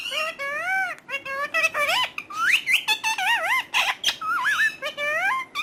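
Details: Talking parrot uttering a rapid run of speech-like syllables with bending, warbling tones and sharp clicks, indoors, with no other clear sounds.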